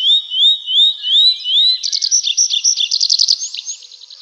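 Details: Forest nightingale singing at night: a slow series of rising whistles, then a quick, chattering run of pulsed notes fading at the end.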